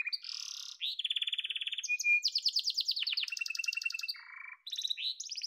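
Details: A yellow canary delivers a string of buzzy, rolling trills at varied pitches, with a brief thin whistle, pulsed high tours and rising slurred notes near the end.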